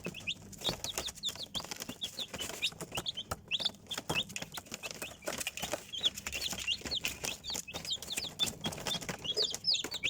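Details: Chicks cheeping in a crowd, a steady stream of high, falling peeps from many birds, with tapping and rustling throughout.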